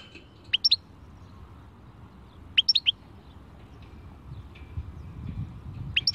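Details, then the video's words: European goldfinch singing in the khalwi style: short clusters of two or three sharp, high twittering notes, about two seconds apart, over a low steady background rumble. "Chant chardonneret khalwi"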